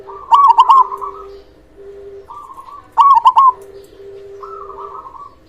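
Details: Loud local zebra dove singing to prompt quiet, stressed or untrained doves to answer: two strong phrases of quick, throaty staccato cooing notes, with softer drawn-out coos and a steady low hum between them.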